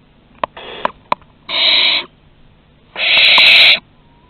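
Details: Barn owls at their Théding nest in France, 2 September 2020, as a young owl makes its first flight and comes back. A few sharp clicks open, followed by two loud, rasping hiss-screeches, each under a second long.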